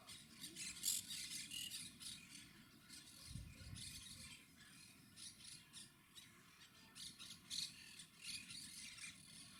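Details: Quaker parrots, or monk parakeets, filmed with a Panasonic HC-WXF990: quieter rasping, scratchy squawks in irregular bursts, a few louder notes standing out, over a soft low background rumble.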